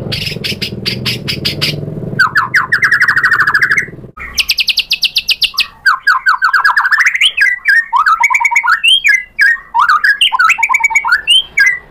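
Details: White-rumped shama song, used as a lure to excite other shamas into full song: a rapid buzzy note series, then fast stuttering runs and varied, looping whistled phrases without pause.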